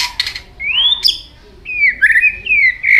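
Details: White-rumped shama changing voices while flicking its tail: long, smooth whistled notes sliding upward and downward, some clear and fluty, with a brief harsh note near the start.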